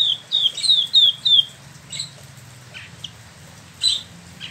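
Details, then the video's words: Caged Spot-throated Babbler in Bandung, West Java, opens with a quick string of sharp, descending whistled notes, followed by scattered faint calls. "Wambi Mini / Tieu Mi (Pellorneum albiventre) ngeroll"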